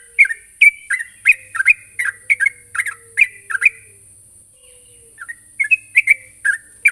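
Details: Sooty-headed bulbul calling a rival, lively and chattering: short bubbly chirps in quick clusters for about four seconds, a brief pause, then more chirps, over a steady high-pitched hiss.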